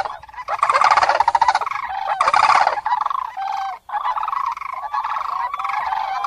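Common Cranes give loud, rolling, trumpeting bugles in repeated bursts of a second or so, several birds overlapping, with a brief pause before the calling resumes.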